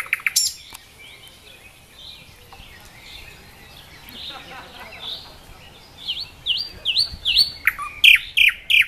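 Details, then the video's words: A nightingale singing in Dubki park, Sestroretsk, St Petersburg, Russia: varied phrases of dry clicks, soft rapid trills, then loud sweeping whistled notes repeated about three per second. "Соловьи поет очень красиво-The nightingale sings very beautifully!!"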